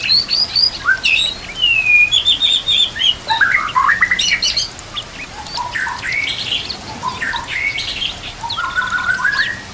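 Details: Varied, lively White-rumped shama song meant for training birds, mixing clear whistles, rapid high chips and rising slurred phrases, with no breaks and a soft ambient background.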